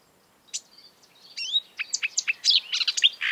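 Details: After a brief pause, a marsh warbler launches a rapid jumble of varied chirps, slurs and buzzy notes, about four per second, in the exuberant song of this mimic of European and African birds.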